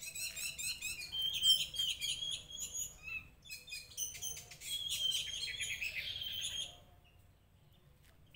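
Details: Lure song of an Orange-headed thrush, played to stir another bird into agitation and song: dense, fast twittering and buzzy high trills for about seven seconds, then a near-silent pause.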